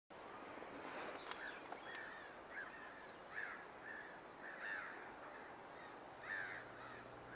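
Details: Lesser black-backed gull at Lingham Lake on 14 March 2015, recorded with a Lumix GX7 camera: a series of short, clipped mewing calls at uneven spacing over steady background hiss, with a few faint clicks early on.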